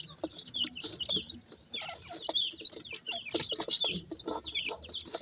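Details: A brood of newborn Sindhi partridge chicks in Pakistan peeps busily. The high, falling notes come close together and overlap, over soft scuffing sounds.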